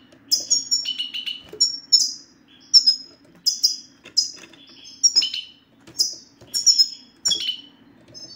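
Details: European goldfinch twittering to encourage a mute male goldfinch to sing: lively, tinkling, downslurred notes repeated in short bursts roughly every second, a soft electrical hum beneath.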